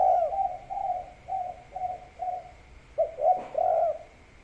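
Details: Mellow kuk 3 gacor cooing of a spotted dove set against rice fields: a string of five steady hollow notes, a short pause, then three stronger swelling coos; a low steady tone persists in the background.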